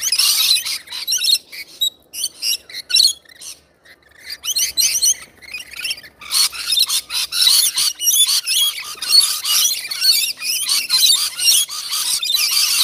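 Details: Rainbow lorikeets at feeding time, a flock giving dense, continuous shrill screeching and chattering, brief lull near the middle, then a loud, unbroken wash of overlapping harsh calls.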